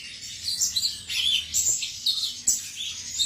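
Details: Male cucak cungkok singing: a rapid run of high, sharp chirps and short twittering notes, bursts coming in quick irregular succession with brief pauses, over a faint low hum.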